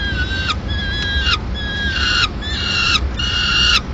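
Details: Mid-morning at a Madrid peregrine falcon nest as the female arrives carrying leftover pigeon; five grating, slightly downslurred wails spaced under a second apart over low constant noise.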